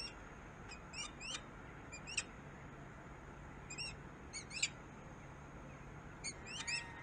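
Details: Peregrine falcon recorded in Harrisburg, USA: clusters of short, harsh, harmonic-rich notes repeated in bursts about every second or two, over a steady low background hum.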